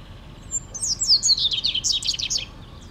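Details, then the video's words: Small bird singing in the morning at sunrise in Mendoza: a rapid, high, twittering run of thin whistled notes and chirps lasting about two seconds, over faint low background rumble. "Bird song"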